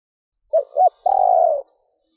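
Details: Female spotted dove giving a stuttering coo to stir males to call: two short hollow hoots followed by one longer, rolling burred note that slowly falls.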